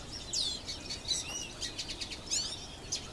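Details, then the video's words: Goldfinch singing in a tree: a quick, high, tinkling twitter of chirps and buzzy, slurred notes, tumbling along without pause against faint background hiss. "Gold Finch Singing"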